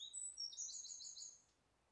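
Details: Wren singing from a tree canopy at Pilley Bridge Nature Reserve on 30 July 2012, recorded on a camera: a rapid high trilling run of sharp notes, loud then fading out after about one and a half seconds.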